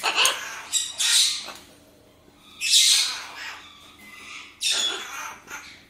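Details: Blue-and-yellow macaw, one of a pair of pet birds kept indoors, giving harsh, broadband squawks in four separate bursts spaced about one to two seconds apart, while a person speaks Czech to the birds between calls.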